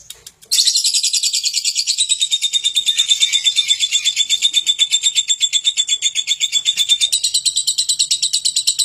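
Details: Lovebird used to provoke other birds into singing: after a brief quiet start, one long, unbroken, rapid chattering trill of harsh, buzzy pulses, about seven per second, continuing to the end.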